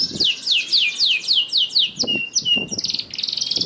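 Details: Lure song of a canary for quiet birds: a run of steady downward-sweeping whistles, then a sustained tone and a fast rattling trill, with low thumps in the background.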